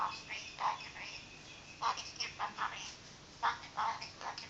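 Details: A princess parrot, apparently scolding its owner's feet, gives about nine short, harsh, rasping squawks in uneven bursts, some in quick pairs, over a faint indoor hiss.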